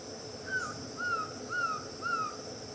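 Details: Green-backed trogon at Itapiranga giving four clear, mellow whistled notes. Each note drops slightly in pitch, and they are spaced about half a second apart over a faint, steady high insect hum.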